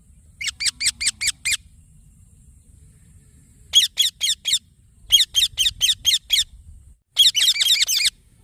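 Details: Baby green parrot calling in four quick bursts of harsh, buzzy chirps, five to eight notes per burst, separated by short gaps; the last burst is denser.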